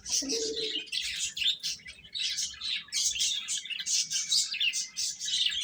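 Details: Crowd of young chickens cheeping as they eat, rapid high-pitched peeps tumbling over one another nonstop, a brief lower squeak near the start.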